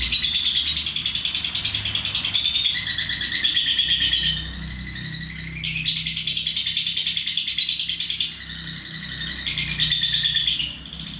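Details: Long ngekek song of a lovebird, used as a training recording for other birds: three long bursts of rapid, rattling high chatter, each lasting several seconds and separated by short pauses, some bursts dipping slightly lower in pitch.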